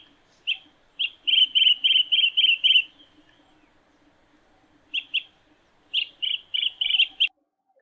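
Green bee-eater calling in quick runs of high, rolling trilled chirps, about four a second, in bursts separated by a short pause; a faint low hum underneath.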